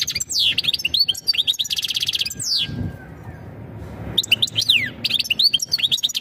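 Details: Caged European goldfinch giving mating calls used to bring a female into breeding condition; rapid twittering with sweeping high notes and buzzy trills, a short quieter gap midway, then more twittering over a low background hum.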